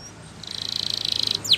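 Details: Gloster canary singing for training: a rapid, high rolling trill of about two dozen even notes in under a second, then a quick downward-sweeping note.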